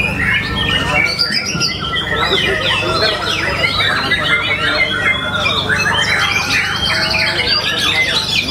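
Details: White-rumped Shama competing in a songbird contest in Solo, Indonesia, where the first-place bird was praised for its powerful volume. Rapid, rich whistles and trills tumble over one another continuously, with other contest birds overlapping and a low droning background.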